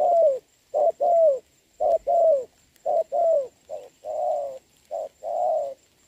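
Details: Spotted doves cooing in the rain, a decoy bird trained to lure a wild one at a trap, 26 November 2022. Deep, soft two-part coos: a clipped note followed by a drawn-out, slightly descending one, several pairs in steady succession.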